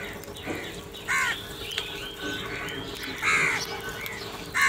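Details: Crows quarrelling over food, a few widely spaced harsh caws mixed with softer, higher calls over a steady hum.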